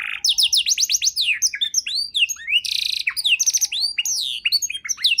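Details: Canary in full varied song used to tutor songbirds: quick descending whistled notes, a loud buzzy burst, then slurred upward and downward sweeps in fast succession.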